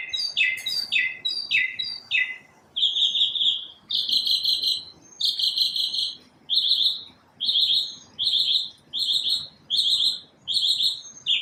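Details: Morning song of a single unidentified bird that produces all the varied sounds: a quick descending chirp sequence, then steady buzzy high notes repeated about once a second.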